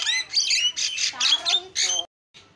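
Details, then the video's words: Javan myna with loud, continuous harsh squawking phrases rich in overtones, broken by thin whistles, ending abruptly in a short silence and a faint last note. "JALAK KEBO SUPER GACOR SUARA ISIAN"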